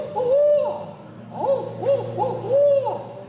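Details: Barred owl (Strix varia), a mostly nocturnal forest bird, at a raptor show at SeaWorld San Antonio, giving five mellow, arched hoots, each rising then falling, two close together near the end, over a low steady hum.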